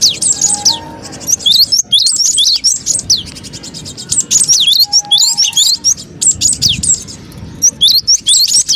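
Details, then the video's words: Cinereous tit calling busily as a trapping lure: repeated bouts of high, thin slurred chirps and downward whistles over fast ticking trills, broken by short gaps, with a soft low background hum. "suara pikat burung gelatik batu ribut"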